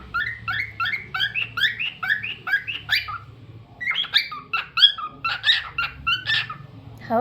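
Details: Cockatiel kept as a pet sings a quick series of rising, slurred chirps, breaks off briefly, then resumes with louder, higher whistled notes ending in a falling squeal.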